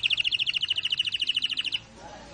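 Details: Canary in rolling song, a fast, even run of bright, high-pitched chirps lasting under two seconds, then stopping abruptly into quiet background.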